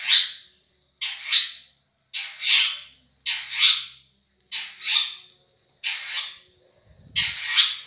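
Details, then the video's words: Madura long-tailed shrike in a song-tutoring recording: paired harsh, buzzy bursts repeated about every second, with a thin high tone between them and a low thump near the end. "Suara Juara Nih!!! Cendet Madura CMS"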